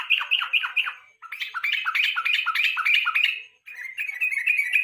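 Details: Yellow-vented bulbul evening lure song, used to train contest songbirds: a quick run of falling slurred notes, then a dense, bubbly chatter of rising phrases, ending in a buzzy trill after a short pause.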